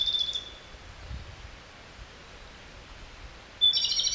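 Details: Japanese robin song, described as subsong: a clipped high trilling phrase opens the clip, quiet follows, and another rapid rattling phrase begins near the end, cut short.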